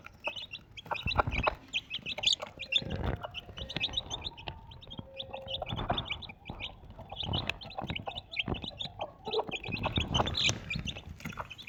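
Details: Four Desi chicks beside their mother hen give steady high peeping in short repeated bursts over constant clicking and scratching sounds.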